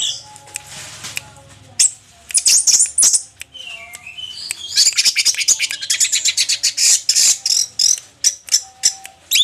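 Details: Orange-headed thrush in song after moulting, starting with a few scattered notes, then dense rapid bursts of high chirps and trills repeated in a fast pulsing series, mixed with sharp clicking ticks.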